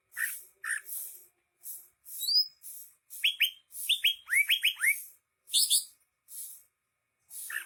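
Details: Vigorous greater green leafbird song: scattered rasping chirps, then a rapid cascade of sharply falling whistles, followed by more harsh notes with no steady rhythm.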